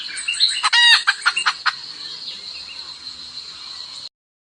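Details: Highland decoy hen calling a rooster: a burst of clucks with one loud grating squawk in the first two seconds, after which only a steady high insect drone remains.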